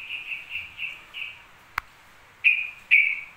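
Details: Yellow-vented bulbul in nonstop song: a run of five short clear whistled notes, a single click, then two louder drawn-out whistles.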